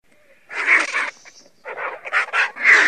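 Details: Griffon vulture (Gyps fulvus), a large carrion-eating bird, giving harsh, raspy, broadband bursts: one long rough call followed by a pause, then a run of four short grating calls.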